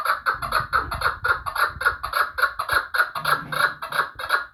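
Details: Rhythmic, rasping chuck-chuck calls from a chukar partridge of Vanj, repeated almost twice a second, with some low murmuring noise beneath.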